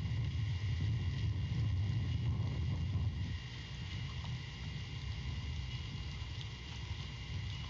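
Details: Only a low rumbling background, like distant traffic or wind, with no animal calls.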